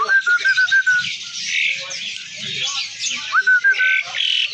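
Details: A tame Asian pied starling opens with a quick run of clear, even whistles, breaks into harsh scratchy chatter, then returns to the whistles, while a faint voice murmurs beneath.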